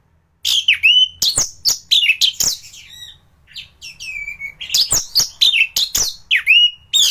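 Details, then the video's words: Tutor recording of a top-performing thrush used to train other birds: loud, varied song of clear whistles, downward-swooping slurs and sharp chips, a brief softer warbled passage midway, then more emphatic repeated swoops. "Burung anis gacoran || masteran untuk burung anis"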